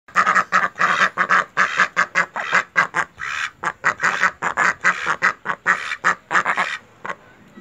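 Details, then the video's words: Pet ducks quacking: harsh raspy quacks in rapid continuous runs, about two or three per second with overlapping voices, pausing briefly midway and fading near the end. "Duck Sound | Duck Noises and Quacking Sound"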